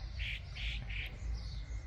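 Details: Church swallow calling to its companions in front of a large old house, three short, harsh chirps in quick succession, roughly three a second, over a steady low rumble of background noise.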